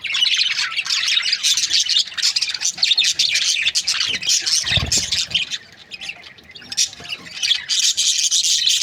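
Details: Budgerigar breeding pairs chirp and chatter in high, raspy waves. A dull low knock sounds midway, followed by a short lull before the chorus resumes.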